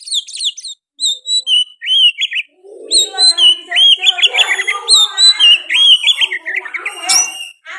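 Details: Energetic oriental magpie-robin song with sooty-headed bulbul phrases woven in, a rapid series of bright whistles, chirps and warbled slurs with a lower rough warble underneath for part of the sequence.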